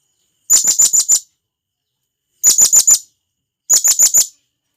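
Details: A wild forest blue-crowned hanging parrot gives its companion call as three evenly spaced bursts, each holding five quick, thin, very high chirps, with quiet in between.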